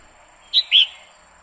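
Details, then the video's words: Female red-whiskered bulbul singing to excite a male: two loud, high, clear whistled notes in quick succession, the second longer and slightly lower, with a faint steady high tone behind. "Chào mào mái hót kích trống liên tục Chào Mào mái quých kiu mào mái hót"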